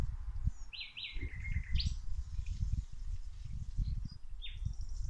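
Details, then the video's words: Birds singing outdoors while plants are watered: a few clear whistled phrases, some falling and sliding, with short high chirps, over steady low rumbling and splashing noise from the watering. "Watering the plants while the birds singing"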